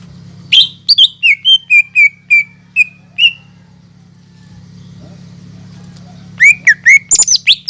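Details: Lively greater green leafbird song meant to provoke silent or lazy leafbirds into singing: a quick run of clear descending whistles, a pause of about three seconds, then a burst of rapid, varied chirps over a faint low hum.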